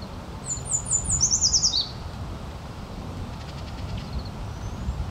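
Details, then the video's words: American goldfinch giving a quick run of thin, high chirps that step downward over about a second, then a few faint notes, over a low wind rumble. "American Goldfinch Chirping"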